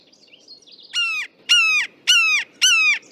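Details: Red-shouldered hawk in the East Bay, Oakland, California, giving four loud, ringing, slightly down-slurred screams, about two per second, each harsh and clear-toned, after faint chirps; the call carries very far.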